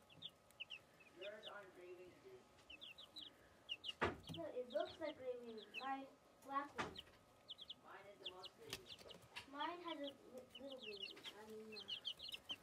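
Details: Baby chicks tweeting amid louder low clucking and a few sharp knocks: high, thin peeps come in short runs between the deeper, rounded calls.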